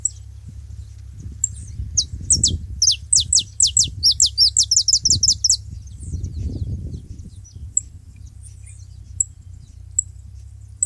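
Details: Saffron finches together at a feeding spot; a lively run of about fifteen bright, downward-sliding whistles, rapid and fairly even, then isolated high ticks, with a low rumbling hum throughout.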